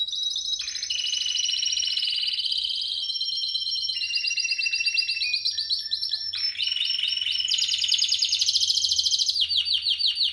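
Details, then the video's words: Spanish Timbrado canary, 2017, singing a long varied sequence of bright trills and rolls, shifting between higher and lower ringing phrases with a few clipped notes between them. "Timbrado español original 2017"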